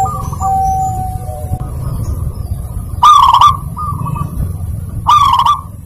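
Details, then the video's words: Zebra dove in lively lure song meant to coax silent birds: soft, steady whistled phrases, then two loud, rough rolling coos two seconds apart, with quieter cooing between and a constant low hum. "Perkutut gacor pancingan mp3-Terapi perkutut yang susah bunyi"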